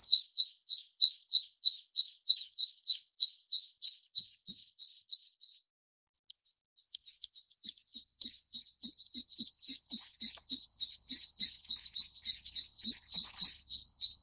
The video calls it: 棕扇尾鶯/Zitting Cisticola